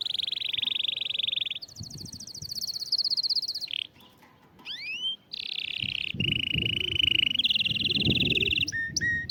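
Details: Canary song meant to encourage a quiet canary into singing: long sustained trills shift between mid and high pitch, a quick rising whistled sweep, more rolling tours, and short sharp high notes closing the phrase.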